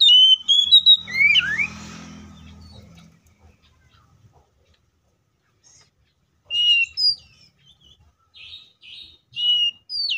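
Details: Oriental magpie-robin fighting song, played to get other magpie-robins singing: a quick string of loud whistles that opens and then swoops downward, a soft rustling noise, a long quiet stretch, then short whistled phrases returning.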